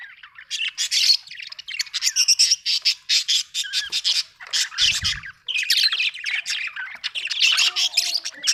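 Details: Budgie chatter in long runs of rapid buzzy notes and squeaky whistles, broken by a short pause midway with a low thud.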